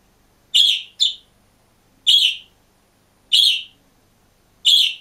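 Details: Single green budgerigar in a cage: a quick double chirp, then three more loud bright chirps spaced over a second apart, with quiet between them.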